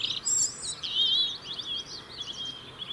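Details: UK European robin song, given year-round to maintain winter territory: a clear, high warbled phrase of sliding whistled notes, fast and liquid, trailing off into softer twitters.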